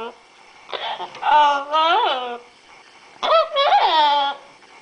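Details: Caged pet female Yellow-naped Amazon parrot talking in a small room. Two groups of drawn-out, voiced, speech-like phrases with gliding pitch and a laugh-like quality, separated by a short silence.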